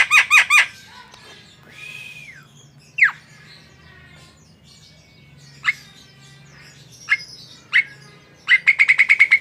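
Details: Javan myna, kept tame, singing: scattered short whistles, a rising-falling slurred note and sharp downward notes separated by pauses, with rapid harsh rattling bursts at the start and end, plus faint low hum beneath.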